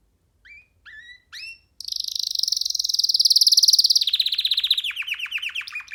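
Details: Young canary out of its cage on a hand gives three short rising whistles, then bursts into a long rapid buzzy trill followed by a run of descending chirps.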